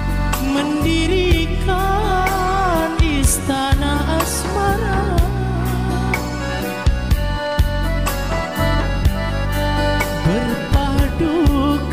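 Steady music with a sung melody over strong bass and instruments fills the whole recording, with no animal voice standing out.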